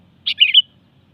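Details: A brief, sweet three-part phrase from a sooty-headed bulbul: an initial chirp followed by a quick tumbling warble and a bright closing whistle, with only faint low background hum.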